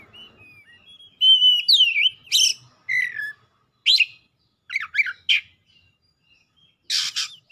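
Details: Oriental magpie-robin in heated song with isian fill-ins: soft whistles building into loud sweeping slurs, sharp clipped chips in separate bursts, and a closing harsh rasping note.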